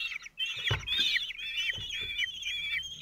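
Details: Common kestrels at a nest in Théding, France, on 27 June 2023: the male feeds four 17-day-old chicks. Continuous high, wavering chittering calls, with a few dull thumps and knocks.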